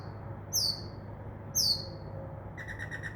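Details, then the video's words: Mockingbird mimicking various sounds from a tree by a window at night; two very high thin downslurred whistles about a second apart, then a fast buzzy trill. "mocking bird makes crow sound, dove wing sounds and others"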